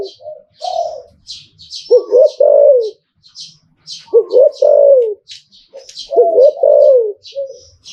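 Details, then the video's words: Thai zebra dove delivering liu tan style song: three clustered coo phrases, each a pair of bouncing notes sliding into a longer falling coo, with scattered high bird chirps between. "หลิ่วตันตลอด Thai dove"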